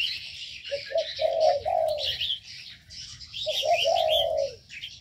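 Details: Aviary scene of ornamental birds: two stuttering series of low coos, starting with short notes and swelling into a longer one, over continuous high-pitched chirping.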